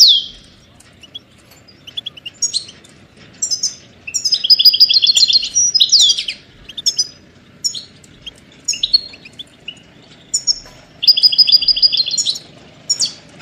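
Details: European goldfinch song used to train songbirds: a long sequence of sharp chirps and quick twittered phrases, with two liquid buzzy trills, gaps between phrases and a soft steady background hiss.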